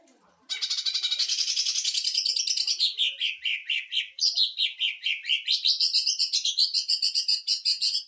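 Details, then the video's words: Rapid 'sewing machine' burst song of a greater green leafbird, used to tutor and provoke other birds: a dense, unbroken rattle of sharp pulses, then lower, wavering stuttered notes continuing without pause for over seven seconds. "CUCAK IJO TEMBAKAN MESIN JAHIT UNTUK MASTERAN DAN PANCING EMOSI"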